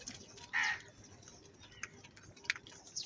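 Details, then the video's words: Crow at feeding time giving one loud, hoarse caw, followed by a few faint, thin chirps from other birds. "Clear crystal Crow bird Crowing sounds | Different kauwa ki awaz - Feed time Crow Sound Loudly"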